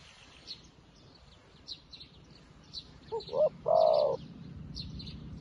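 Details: New decoy spotted dove luring wild doves: after soft scattered twitters from other birds, two quick clipped notes lead into a single drawn-out, mellow coo near the end.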